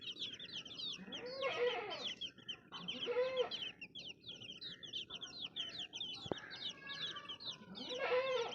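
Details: Many baby chicks keep up high, rapid peeping throughout, while louder, lower, harsher calls burst in three times and a single sharp click sounds near the end.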